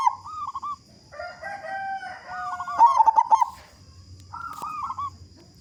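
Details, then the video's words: Local zebra dove singing vigorously with a big voice, used to prompt other doves to sing. Cooing phrases and a loud run of rapid gurgled notes, overlapping a steady whistled tone early on. A constant high whine sounds in the background. "Perkutut Lokal Gacor Suara Besar Pancingan Burung Perkutut Agar Cepat Bunyi"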